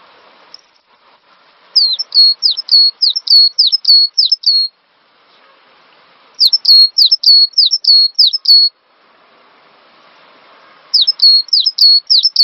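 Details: Cinereous tit song used as a training lure for songbirds: three runs of rapid, high, piercing whistled phrases, each a downslurred note followed by a level whistle, repeated about eight times per run with quiet pauses between runs.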